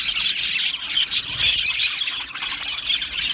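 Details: Australian budgerigars chirping together in a colony aviary. The high, twittering chatter has bright whistled squeaks standing out above it, steady and unbroken through the brief stretch.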